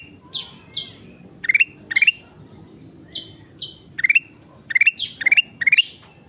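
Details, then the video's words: Sooty-headed bulbul singing persistently (gacor), giving short bright chirps and quick clusters of rising, stuttered notes, the phrases spaced irregularly about every half second to a second. "Burung kutilang emas gacor"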